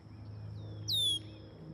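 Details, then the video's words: Red-winged blackbird yelling at a lakeside walker who seems near its nest: one loud, clear whistle sliding steeply down in pitch over about a third of a second, above a low steady rumble. "It's a redwing blackbird yelling at me right there."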